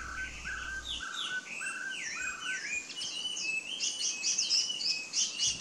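A Taiwan hwamei sings a rich, fast run of clear whistles, slurred up and down and changing phrase every second or so, building into bright high notes.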